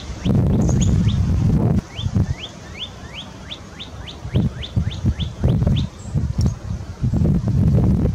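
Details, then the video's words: A northern cardinal sings in Sapsucker Woods, Ithaca, NY, USA, on 20 February 2022: a quick string of about a dozen clear, slurred whistles, roughly three per second, over heavy wind rumble and handling thumps; Northern Cardinal. "Red cardinal's song (cardinale rosso in canto)"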